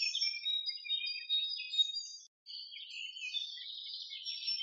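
Jungle babblers chatter in harsh, squeaky, overlapping notes, a busy high-pitched jumble with scarcely a pause.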